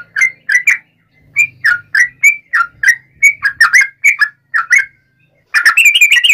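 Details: Provoking fighting song of a yellow-vented bulbul, nggaruda ropel style: a long string of chirpy, rising and falling whistles about four per second. It ends in a fast, dense trill.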